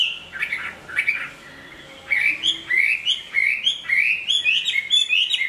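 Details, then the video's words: Big Chinese hwamei known for strong song and fighting, mid-moult into new feathers. A few scattered whistled notes give way to a rising stream of clear, slurred, fast-repeated phrases. "Họa mi bộ to hót tốt đấu tốt"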